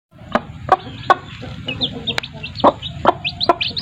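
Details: Chickens, chicks with their mothers: a run of sharp low clucks and taps roughly every half second, with thin high chick peeps growing more frequent toward the end.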